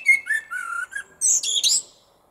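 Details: Common blackbird (Turdus merula) sings at lunchtime from a small tree in a car park, very close: a low, mellow fluted warble ending in a higher, squeaky twitter; nothing else heard.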